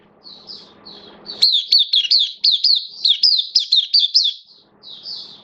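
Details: An oriental white-eye, recorded 11 September 2022 and described as slightly off form, gives a fast run of high, thin, twittering notes, about ten quick rising-falling phrases in three seconds, with soft indoor hum between.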